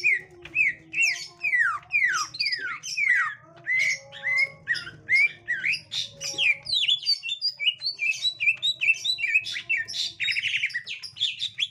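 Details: Green leafbird, gotri type, meeting a young wild forest green leafbird, pours out a long varied run of steep downward whistles and chirps that quickens into rapid twittering, with a steady low hum.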